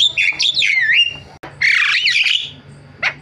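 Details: Javan myna singing a varied song, wavering whistles falling and rising, then a long scratchy warbled phrase after a brief gap, ending with one short squeak.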